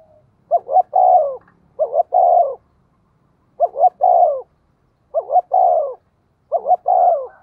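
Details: Decoy spotted dove cooing to lure wild birds: five low, mellow phrases, each a quick double note rising into a longer hollow crooning coo, repeated about every one and a half seconds, with quiet background.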